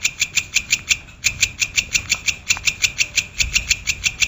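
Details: Brown shrike (pentet or cendet, Lanius cristatus) for songbird tutoring: steady, rhythmic harsh chattering notes, several each second with one short break, over a faint low hum.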